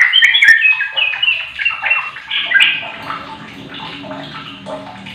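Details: Sooty-headed bulbul lure song meant to prompt a silent bird to answer: energetic, bubbly warbling with quick rising and falling chatter, loud at first and fading toward the end.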